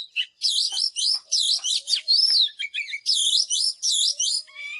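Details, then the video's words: Oriental magpie-robin singing a rich, varied song of rapid, sweet whistled phrases with rising and falling slurs, delivered in dense bursts with brief gaps and an occasional lower note. "เสียงนกกางเขนบ้านหรือนกบินหลาขี้ควายใต้ Chòe than HÓT HAY"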